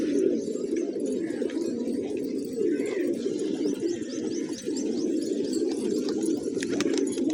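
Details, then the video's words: Hungry pigeons eating fresh grain in a village, a continuous low cooing chorus from the flock, joined by a series of faint high chirps from small birds. "Cute Pigeons Eating, Playing & Making Funny Sounds"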